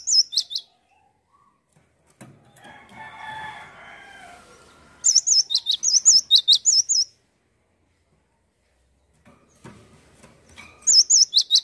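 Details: Cinereous tit singing repeatedly, with short bursts of high, sharp, wavering whistles at the start, middle and end. Between them are gaps with faint low noises and a soft harmonic squeal.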